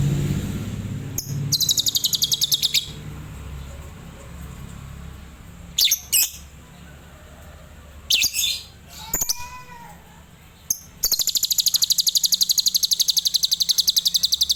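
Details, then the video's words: Adult lovebird in tembakan Cililin song style, delivering long trills of fast, high-pitched repeated chirps, broken by short squeaks and a few gliding whistles, with low background hum. "Love Bird Dewasa // Tembakan Cililin"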